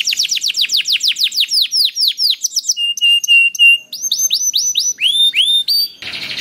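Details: Canary singing as a lure for other canaries: a fast chain of falling chirps, then level whistled notes, then rising hooked notes, closing on a short burst of harsh noise.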